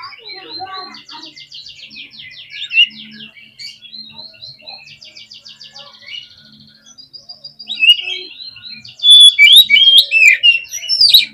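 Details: Oriental magpie-robin in full, fast song meant to agitate other magpie-robins on their hanging perches: dense runs of rapid repeated high notes, buzzy trills and sharp whistles, growing louder and more varied near the end.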